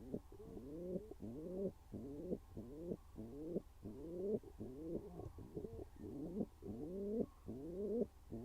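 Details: Inside their nest box, a pigeon pair courts while one bird keeps up steady throaty cooing, each rising, slurred phrase following the last about once a second for over eight seconds, with no other sounds.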